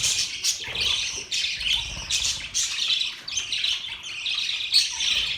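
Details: Budgerigars chirping happily in pulsing bursts of high squeaky chatter, each lasting about half a second, repeated roughly every second with short quieter gaps between.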